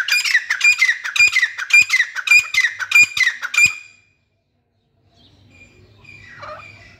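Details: Grey francolin, locally called teetar, giving a fast series of harsh, scratchy notes with a bright ringing edge, about seven in four seconds, then silence and faint background hiss.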